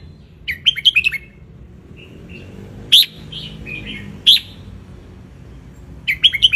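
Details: Wild red-whiskered bulbul from Ratchaburi, Thailand, sunning itself, used as a tutor recording for young birds: a quick burst of bright chirpy notes, lone sharp notes at roughly even gaps, then another chirpy burst; faint low hum beneath.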